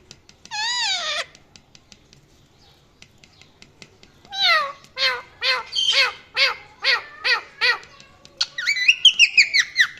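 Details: Parrot calling: a single arched, whining call, a pause with faint clicks, then about eight short harmonic notes repeated roughly every half second, ending in rapid higher chirping notes.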